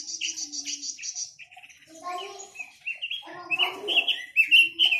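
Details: Chinese hwamei singing a varied song: a quick run of repeated high bright notes, then a mix of rising and falling whistles and warbled phrases, some lower and some sharp and high.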